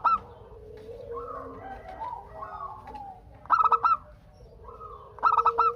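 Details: Local zebra dove song meant to coax other doves into calling back: two loud bursts of trilled, stuttering coo notes rise out of a background of softer, drawn-out cooing from other doves.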